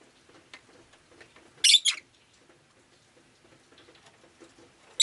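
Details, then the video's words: Pet rosy-faced lovebird on a rainy day giving a loud raspy double chirp, with quieter chirping and faint rain-like patter in the background and a sharp note at the very end. "Lovebird Chirping Sounds"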